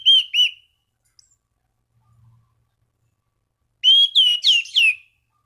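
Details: Calling out to rivals, an Orange-banded thrush gives two slurred whistles, falls quiet with a faint low hum, then delivers four loud looping whistled notes in quick succession.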